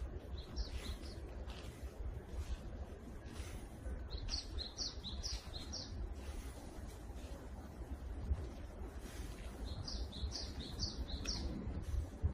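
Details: A Japanese tit in a forest in the morning sings three bursts of high, ringing two-note phrases, each repeated four or five times quickly, over a steady low rumble of wind or distant traffic.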